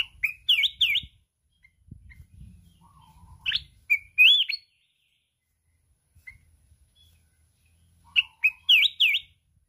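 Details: Red-whiskered bulbul from the mountains singing fiercely in contest in the kít bổi forest style, flapping its wings without pause. Fast bouncing whistled phrases open and close, a rising swoop and lower notes between, with soft rustling noise.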